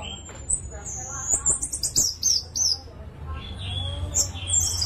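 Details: Orange-headed thrush singing to prompt other thrushes: a high sweeping whistle leads into rapid buzzy descending notes, then softer warbles, over a steady low background hum.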